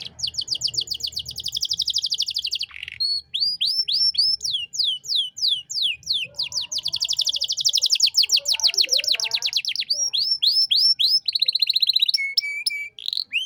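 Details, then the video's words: Canary master song for tutoring young songbirds, in the showy gacor style: long rapid trills of repeated notes, then series of rising whistled sweeps and fast buzzy rolls, ending on a steady held whistle. "Masteran Kenari Gacor Cengkok Mewah untuk Burung Bahan"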